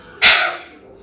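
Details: A pet rose-ringed parakeet (ringneck) that talks gives a single harsh, raspy squawk of about half a second, bright and noisy, fading into a quiet room.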